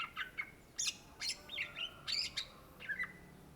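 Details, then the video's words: Indonesian greater green leafbird (cucak ijo) singing: sharp broadband chips interspersed with wavering whistled slurs and a brief chattered flourish. "SUARA BURUNG CUCAK IJO GACOR , TELER"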